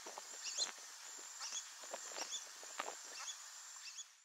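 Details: Pair of wild Brazilian teal accompanied by ducklings in the breeding season, with thin rising chirps scattered between soft low knocks and rustles, all under a continuous high-pitched insect hum.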